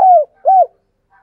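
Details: A dove used as a decoy for calling wild doves utters a drawn-out falling coo, then a shorter rounded coo, against silence.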